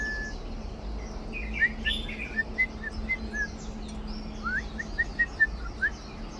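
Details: Red-whiskered bulbul pair nesting on a small perilla plant in mid-March 2023 while being fed by people. Short clear whistled notes and quick upward-slurred chirps are scattered irregularly over a faint steady hum.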